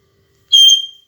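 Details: A parrot gives a single clear whistle, steady and high, lasting about half a second and then fading away.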